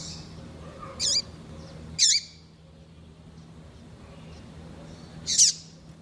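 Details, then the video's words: Female double-collared seedeater kept in captivity, calling insistently to excite a male. Three brief, high, slurred chips spaced about a second apart, then a longer gap before the last. A low hum runs throughout. "Fêmea de Coleiro piadeira Para Esquentar coleiro"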